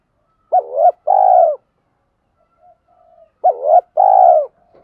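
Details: Spotted dove, male and female, calling to prompt trained doves to coo: two paired coos about three seconds apart, each a short wavering note then a steadier, longer one, with faint soft notes between.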